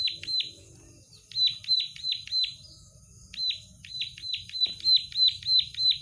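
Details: Plain prinia delivering gacor song in three separate bursts of sharp, buzzy, falling notes, each about three per second, with quiet gaps between phrases.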